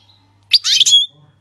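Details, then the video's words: Syrian goldfinch song, called the 'king's language' without errors; one brief, dense burst of high twittering and buzzy notes ending in a thin whistle, over a soft low hum. "غناء الحسون السوري لغة الملك بدون اغلاط"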